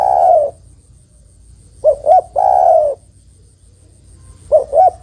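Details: Female zebra dove calling to attract a male, used for luring. The end of a long coo, then a full phrase of two quick hoots and a sustained coo, then two more hoots as the next phrase begins.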